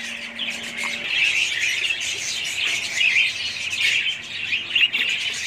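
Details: Several budgerigars twittering at once, rapid overlapping chirps and trilled squeaks forming an unbroken warbling chorus.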